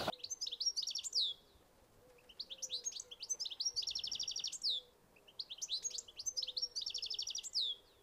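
A European Goldfinch sings three bright, tinkling phrases of quick stuttering twitters and buzzy trills, each rising to a clipped finish, with a faint low hum beneath.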